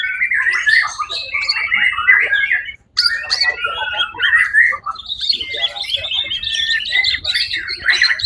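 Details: White-rumped shama singing in a songbird competition, the bird taking first place at the Suara Agung event on 1 October 2023; dense, rapid phrases of varied whistles and chatters, with a brief pause near three seconds, then bright high trills.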